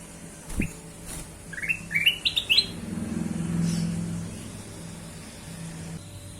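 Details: Kutilang emas bulbul singing as a lure: a click, then a string of four or five upward-sweeping whistles growing higher, followed by low rumbling traffic-like noise.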